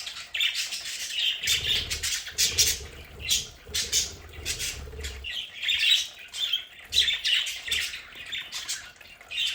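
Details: Pet budgerigars kept at home in their play area give busy high squawks and chirps in overlapping bursts. Brief low rumbles come and go underneath.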